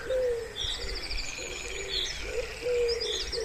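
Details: Wood pigeon at a pond in spring, two or three drawn-out low coos with quieter notes between, and distant high chirping from other birds.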